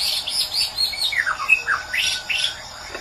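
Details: Song of a white-rumped shama from Medan: rapid high chirps and clear whistles, some sliding downward, others sweeping up, delivered in a quick continuous stream over a faint steady background hum.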